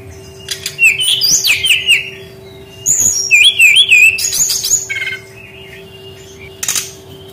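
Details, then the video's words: Brown-chested jungle flycatcher, recorded as a lure to get lazy young forest birds singing. Lively high whistles twist and slide in two long bursts, then fade to a few soft notes and a final sharp chip, over a constant hum. "SUARA BURUNG SRDC PANCINGAN PANGGILAN SRDC BAHAN MUDA HUTAN MALAS BUNYI"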